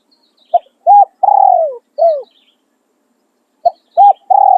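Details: Decoy spotted dove cooing in khan riak and khan yon styles: a short note, a clipped hoot, a long, descending, rolling coo and a falling end note, then a pause before the next phrase begins with the same short notes and long coo.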